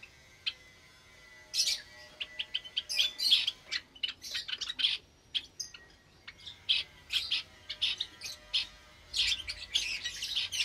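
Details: Java sparrows in a caged aviary with many recently hatched chicks, Sunday morning, 8 May 2022; bright short chirps and tweets overlap in irregular bursts, with a brief quiet stretch near the middle before the chattering resumes.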